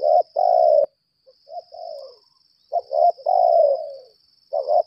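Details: Decoy spotted dove, lambung kuk, fighting call. A loud stuttered note and a long flat coo are followed by soft falling coos. Then a clipped pair and a long descending purr, over a constant high hum.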